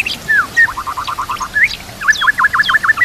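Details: White-rumped shama tutor song with trickling water behind: a down-slurred whistle, a quick run of clipped notes, a rising whistle, then a fast series of V-shaped chirps.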